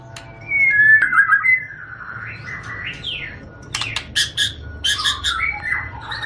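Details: Green leafbird (cucak ijo) song used as a master recording to train young birds to sing; varied whistled phrases with rising and falling sweeps, then rapid buzzy chattering bursts and more looping whistles, low hum underneath.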